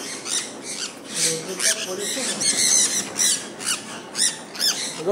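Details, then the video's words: A flock of sun conures enjoying rainfall, loud piercing squawks repeated in short, uneven pulses, with a man's voice briefly heard in the background. "Today Our Sun Conure Birds Are Enjoying The Rain Fall"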